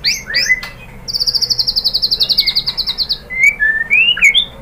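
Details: White-rumped shama song meant to stimulate caged birds to sing back: opening sharp varied whistled notes, then a fast even trill of high repeated notes lasting about two seconds, ending with rising and falling clear whistles.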